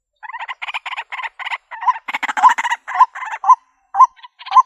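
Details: Trap-lure recording of a white-breasted waterhen in the country: rasping, stuttering notes build into a noisy burst, then settle into separate hooked croaks spaced about half a second apart.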